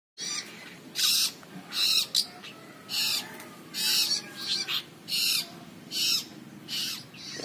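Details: Long-tailed shrike chick calling busily outside its cage: harsh, raspy, broadband squawks repeated a little over once per second, with faint background hum.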